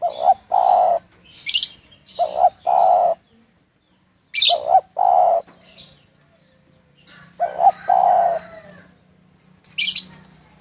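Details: Local spotted dove in Munjung Agung, Kramat, Tegal, calling loudly: paired short notes and long mellow coos in quick succession, pausing briefly, while sharp high chirps of another bird cut in between phrases.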